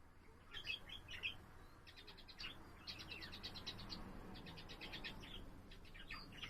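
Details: Budgerigar kept indoors as a pet, singing on 7 April: short groups of clicking, ticking chirps alternating with twittered notes, over a noticeable low rumbling background.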